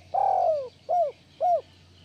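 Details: Spotted dove, a lively calling bird used as a training recording to stimulate lazy doves into calling, gives one long mellow coo falling at the end, then two short arched coos in quick succession, with a steady low hum beneath.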